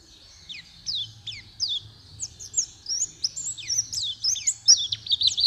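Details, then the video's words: Java sparrow delivering a series of bright, descending chirps that quicken into a dense tumble of high notes, with a low steady hum in the background. "Suara burung perci istimewa"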